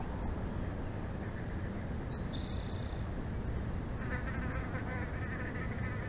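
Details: Bald eagle at the nest in Big Bear Valley, picked up by a live nest cam on 06/01/2024; a thin high whistle, then a stuttering run of quick chattering notes, with constant wind roar underneath.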